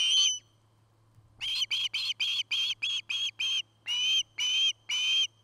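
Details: From a nest camera in Charlo, Montana, an osprey of a nest-building pair gives a series of about eleven short, high whistled notes, evenly spaced roughly every third of a second after a pause, with a faint electrical hum beneath.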